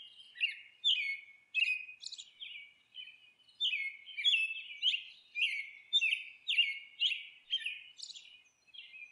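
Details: Rasping, grating squawks from a monk parakeet at the nest, tumbling out roughly two per second in an unbroken, slightly uneven series.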